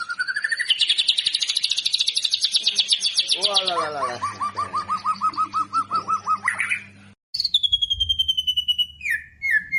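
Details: White-rumped shama singing in a lure recording for training captive birds, described as rapid and dense with varied fill-ins: high whistles, fast trills, a buzzy repeated phrase, a brief break, then clear descending whistled notes.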